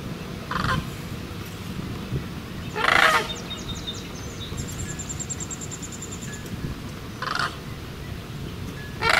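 Sandhill cranes give four loud, rolling, trumpeting calls a few seconds apart over a low wind-like rumble, with thin high ticking notes in between.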